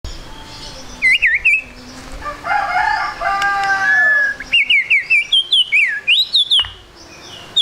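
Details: White-rumped shama singing trotol-style lure song meant to make birds sing quickly: sharp high whistled notes and rapid twisting phrases, broken mid-way by a lower, harmonic, drawn-out call before the rapid phrases resume.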